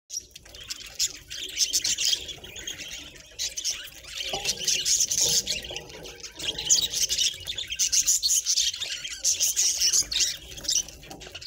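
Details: Happy pet budgies (parakeets) keeping up a dense, high chattering warble of fast chirps and scratchy notes, in waves with brief pauses, no other clear sounds.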